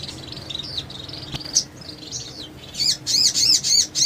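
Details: Sogon, the mountain tailorbird, in full song as a training recording for other sogons: faint thin warbling notes, then loud, high, ringing notes repeated about four times a second.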